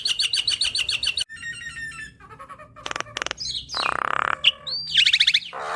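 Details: Tutor song from a black-winged starling for caged birds: a quick series of repeated paired whistles, then buzzy rattling trills, dry clicks, a harsh broad squawk and bright rising whistled notes.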